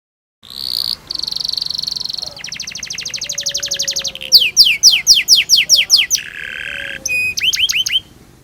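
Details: Canary song played so young canaries learn to sing: a sustained high buzzy trill, a fast rattling roll, quick repeated downward-sweeping whistles, a low buzz, then sharp high notes.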